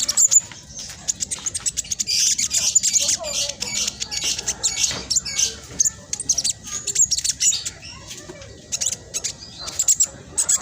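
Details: Spotted black sunbird, caged, in rapid crackling song meant to trigger silent birds: continuous very high, hissy twittering with sharp chips repeated in fast, rattling runs.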